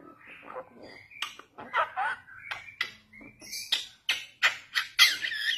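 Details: A young Bali myna in a varied, starling-like medley of harsh squawks, clear whistles and scratchy bursts, in quick phrases about twice a second.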